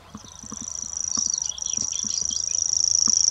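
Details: Grasshopper warbler reeling at Blackhall Rocks: a high, continuous insect-like trill held on one pitch and gradually growing louder, with soft low thuds and knocks underneath.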